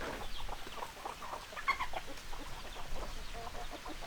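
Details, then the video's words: Hens clucking, short choppy clucks overlapping in a busy flock with a low rumbling background; no clear crow stands out. "Chicken Sounds Noises Hens Clucking Roosters Crowing"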